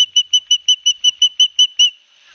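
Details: Osprey chicks at a nest in Barnegat Light, New Jersey, on 9 September 2021, as their father brings each a fish, caught on a live nest camera: a quick series of about eleven sharp, high whistled chirps, then silence.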